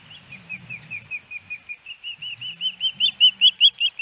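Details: Female osprey at her nest in Hellgate Canyon, Missoula, Montana, on May 18, 2019, calling for her mate. A nest camera caught a fast run of short whistled chirps, about two or three a second, growing louder and slightly higher. Faint low rumble underneath.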